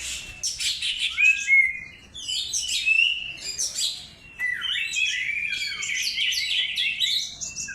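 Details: Lure song (pancingan) of an Oriental magpie-robin: bursts of sweet whistles and rapid warbled trills, with short breaks near two and four seconds before a long, dense, scratchy-bright warbling phrase.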